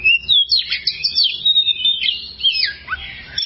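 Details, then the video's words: Oriental magpie-robin (kacer) long-duration song used as a training model for other songbirds: rich, varied whistled phrases with rapid sweeping notes and buzzy trills, continuous and loud. "masteran burung Kacer durasi panjang"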